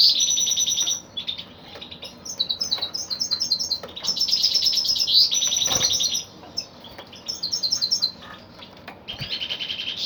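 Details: A male goldfinch (kalu putha) gives fast, high-pitched twittering song in long bursts mixing tinkling notes, buzzy trills and sharp chirps, with brief quiet gaps between phrases.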